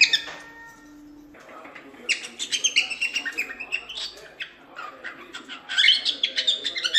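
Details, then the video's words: Cockatiel chattering in bursts of high, scratchy chirps and short whistles, with a steady low hum at the start and a faint background murmur. "SOM DE CALOPSITA"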